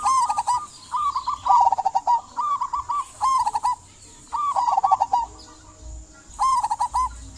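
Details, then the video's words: Zebra dove of a local type singing persistently to prompt silent doves: a string of rolling, pulsed coo phrases, some short and some longer, separated by brief pauses. "Perkutut lokal gacor buat pancingan perkutut pendiam agar bunyi"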